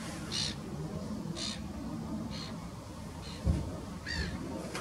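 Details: Common starling foraging in the Neeracherried wetland, Canton Zürich, Switzerland, on 13 May 2018. It gives short, harsh, rasping calls roughly once a second over a steady low rumble of wind or distant traffic.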